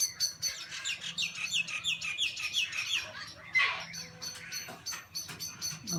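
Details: Small black birds, swooping on a kookaburra in a tree and likely defending a nearby nest, give a busy stream of sharp, high chattering notes, several a second, with a louder squawk midway.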